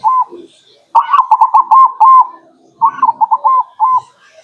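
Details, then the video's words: Local zebra dove song used as a lure: one short coo, then two phrases of rapid stuttering notes that slow into longer, level whistled coos. "Pancingan burung perkutut lokal Anti GAGAL"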